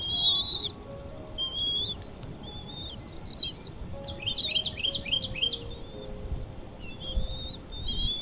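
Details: Bald eagle at a nest with chicks: thin, high whistled chirps in short rising and falling strokes, some quick stuttered notes around the middle, over a soft steady background hiss.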